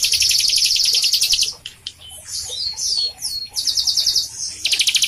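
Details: A captive bar-winged prinia sings to prompt young or quiet birds: rapid high buzzy trills, then a stretch of swooping slurred whistles, then quick repeated trilled bursts again.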